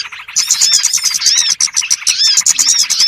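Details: Trapping lure of small birds calling together, opening softly and then swelling into a thick mass of shrill chirps and rising-falling whistles.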